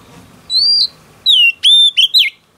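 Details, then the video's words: Newly caught wild female oriental magpie-robin singing to excite males: a clear drawn-out whistle, then a gap, then three more pure whistled notes ending in a rapid twisting flourish. "Choè than mái bổi lên giọng hót kích trống cực chất"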